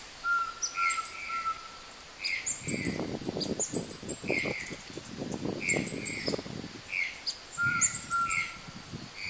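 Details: Opal-rumped tanager (Tangara cyanomelas) recorded in Porto Seguro, Bahia, Brazil, giving very high, thin chipping notes in clusters every few seconds, with lower chirps, a brief steady whistle, and bursts of rustling noise.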